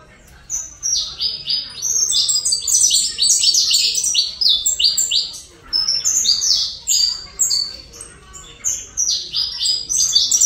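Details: Saffron finch from Colombia singing a long run of bright, high chirped notes, many sliding downward, delivered in rapid bursts with brief pauses between phrases.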